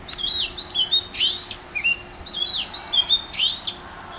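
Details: Oriental magpie-robin singing at Mormugao Harbour, Vasco da Gama: loud, clear whistled phrases, some rising, some falling, some slurred upward, in two bursts of about a second and a half with a short pause between.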